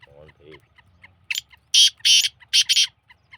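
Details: Black francolin, a Sindhi bird, calling: five loud, harsh, grating notes in a rapid burst lasting about a second and a half, after faint low murmuring, with soft ticking throughout the background.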